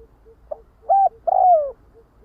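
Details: Spotted dove calling its flock, low soft hums in the background, then a quick note, a short flat-topped coo and a long coo that glides steadily down in pitch.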